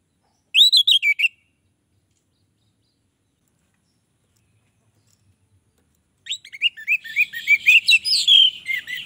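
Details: Song of an orange-headed thrush, said to draw other orange-headed thrushes in: a short run of lively whistled notes, several seconds of silence, then a longer, busier phrase of mixed warbles, chirps and slurred whistles.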